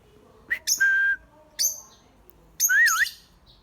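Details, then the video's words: Birds calling: a long, steady whistled note after a sharp chirp, a brief high squeak, then a harsh burst that flows into a wavy whistle that dips twice. "birds making noise"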